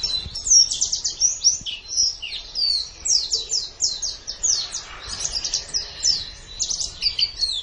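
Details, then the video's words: White-eye (pleci) master song for training songbirds: a continuous, rapid chatter of high, thin twittering notes and quick descending slurs, dense and unbroken for the whole stretch, with a faint low hiss beneath. "Ocehan Suara Burung Pleci"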